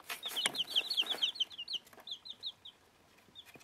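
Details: Feeding one-week-old bantam chicks of dwarf Plymouth Rock and Rhode Island breeds utter quick high peeps, densest at first then thinning to a few spaced notes, with sharp pecking sounds.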